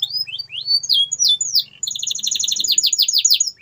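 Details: Canary in full song, played to encourage silent canaries to sing: a string of bright upward-arching whistles followed by a long, dense, rapidly repeated rolling trill.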